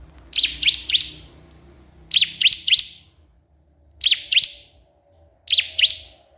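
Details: A crystal prinia calls a rival in clusters of three or four high, sharp, downward-flicking chirps, each cluster separated by about a second of quiet.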